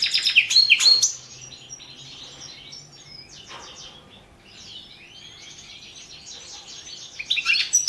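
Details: European goldfinch competition recording, entry 002 of the 2017 World Championship in Goldfinch Song: a dense burst of high twittering, tinkling notes opens, faint scattered chirps follow, then the bright twitter returns at the end.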